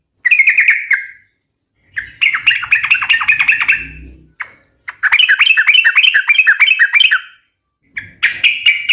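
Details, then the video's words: Vigorous sooty-headed bulbul song, meant to lure and train other birds: repeated phrases of rapid bubbly chirps and looping whistles, separated by brief pauses, with faint low rumbling underneath. "suara trucukan gacor cocok untuk pancingan dan masteran"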